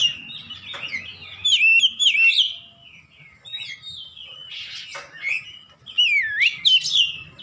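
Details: Caged Oriental magpie-robin singing in the 'ngeplong gacor' style, played for training birds at home: sweeping whistled notes, quick chirps and rough buzzes, with two loud bursts separated by a quieter stretch.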